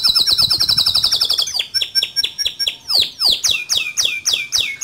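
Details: Male canary song in rolling, shooting style, used as a tutor for young canaries. A rapid, high, even trill breaks into a series of loud, sweeping, downslurred whistles repeated about four times per second.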